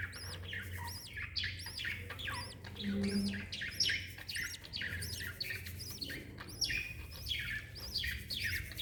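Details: Mama lovebird and chick, 26 December 2021: a dense, continuous stream of shrill arched chirps and slurred squeaks, steady throughout, over low mechanical hum.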